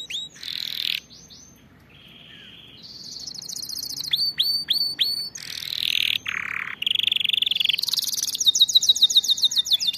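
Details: A canary sings a training song meant to teach other canaries proper singing. The song has varied tours: high buzzy rolls, rapid repeated rising notes and dense trills, changing every second or two, with little background noise.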